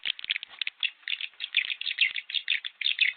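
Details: Swiftlet calls played to lure swiftlets into a new bird house and draw visiting birds by a flock-calling effect: dense, busy high chirps and twitters in rapid, irregular bursts, about two a second, with a few faint clicks.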